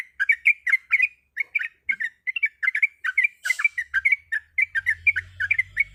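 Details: A female sooty-headed bulbul in breeding condition calling to a male: quick bright chirping notes in pairs and triplets, repeated about three times a second, with a short noise burst midway and low rumble near the end.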